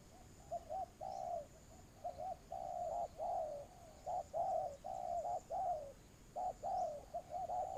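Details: Spotted doves in a ground decoy trapping session, low hollow coos coming rapidly and overlapping almost continuously, short and long notes mixed, with faint high background hiss.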